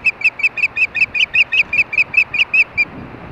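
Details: Ospreys at a nest in Hellgate, Montana, during mating in the evening; a steady series of about fifteen clear, piping whistled notes, evenly spaced around six per second, over faint low background noise.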